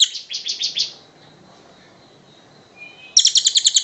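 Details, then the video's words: Rapid chattering series of sharp high notes from a kingfisher, recorded to tutor other cage birds; a brief burst opens, a faint thin whistle follows in the pause, then another fast run of notes starts. "Suara Burung tengek cililin panjang"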